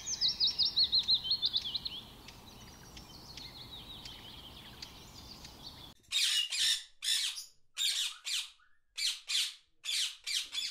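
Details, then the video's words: Blue-and-yellow Macaw giving loud, harsh, raspy squawks, about one every second; another bird's quick warbling whistles come first. "Blue-and-yellow Macaw"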